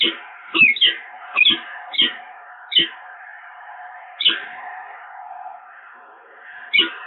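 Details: Peregrine falcons bonding at the nest at the Evoluon on 7 March 2022: harsh, harmonic-rich calls, each starting high and sliding down, given in irregular bursts about every half second to two seconds over a steady low hum.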